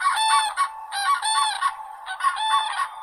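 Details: Crane calls: a continuous run of loud, rattling trumpet notes that overlap and merge, several voices apparently calling in chorus with hardly any gaps.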